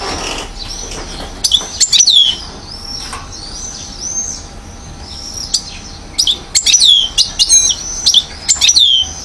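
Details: Year-old European goldfinch in Mouzaia, Algeria, 2012, uttering soft high whistles and intermittent clusters of sharp twittering notes, with background hiss between phrases.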